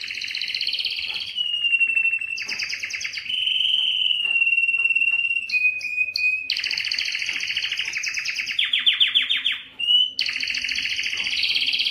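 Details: A canary singing to excite females for mating sings continuously in bright, high phrases, switching between fast rolling trills, buzzy rattles and clear sustained whistled notes.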